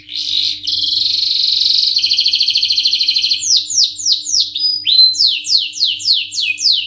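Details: Canary singing vigorously, 'ngerol nembak' style: an intense, rattling roll for about three seconds, followed by a string of high notes each dropping sharply in pitch, repeated rapidly; faint steady hum underneath.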